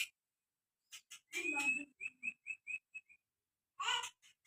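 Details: White-rumped shama singing a short series of clear whistled notes, about six repeated evenly in quick succession, between harsh noisy bursts of sound at the start and end.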